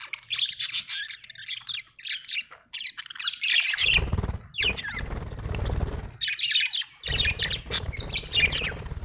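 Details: Happy budgerigar chirping: bursts of scratchy, squeaky warbled notes broken by pauses, with loud low rumbling noise in the middle and end.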